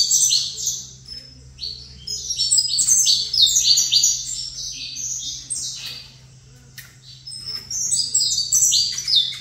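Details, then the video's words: High, sharp chirping song from a caged saffron finch facing another of its kind; quick bursts of crisp notes come in phrases, easing off midway before picking up again, with a low electrical-sounding hum. "Canto Canário da Terra"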